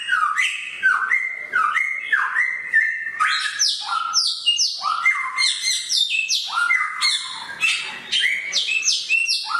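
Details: Samyong bird singing in a sharp voice: a continuous, vigorous medley of whistled, slurred notes, many dropping in pitch, with loud, varied phrases tumbling one after another.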